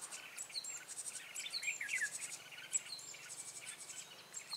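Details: Red-whiskered bulbul lure bird at a trapping session on 14 March 2017, giving rapid fluttering whistled phrases and falling slurs, over a dense layer of shrill cricket-like insect pulses.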